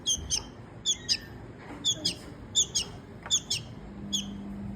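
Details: Rescued baby bird begging while a woman coaxes it forward to eat: six bursts of shrill, high double and triple chirps, roughly one burst each second, with soft speech and a faint low hum.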